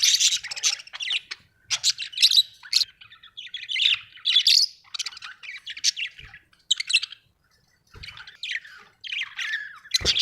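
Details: Pet budgerigars kept at home, several birds chattering in harsh, buzzy chirps and squawks high in pitch, coming in uneven bursts with short gaps, about one burst every two seconds, with faint low knocks beneath.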